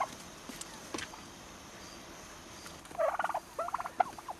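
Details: Young turkeys almost six months old: a quiet stretch, then two quick rattling gobble bursts near the end.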